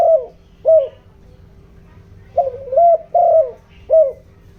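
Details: Captive decoy spotted dove calling in the 'giọng đồng' country voice meant to stir wild birds, low resonant coos in phrases of two to three notes with a clipped final coo, repeated steadily with quiet pauses.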